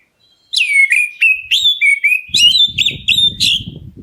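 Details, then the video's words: Black-breasted Oriental magpie-robin calling to draw replies from other birds: a string of bright whistled notes, each swooping down then levelling, delivered quickly; low thumping and rustling noises join in partway. "KACER DADA HITAM MEMANGGIL, BURUNGMU LANGSUNG NYAUT!"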